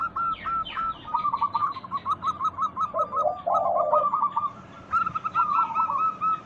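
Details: A lure recording of local zebra doves, meant to get lazy caged doves calling, holds a near-continuous string of rapid, bubbling coo notes with one low purring note midway. Faint falling chirps from other birds sound behind.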